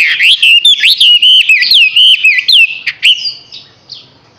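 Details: Six-month-old Chinese hwamei pouring out strong, fluid whistled notes that bend and slur in close succession before tapering into soft scattered calls.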